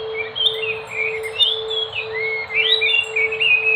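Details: Enggano thrush song: varied whistled phrases, rising and falling slurs and short warbles strung together almost continuously, with a steady low electrical hum running underneath throughout.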